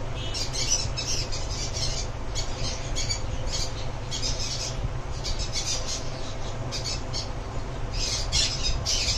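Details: Sun conures give harsh, high, screechy squawks in quick repeated bursts over a steady low hum.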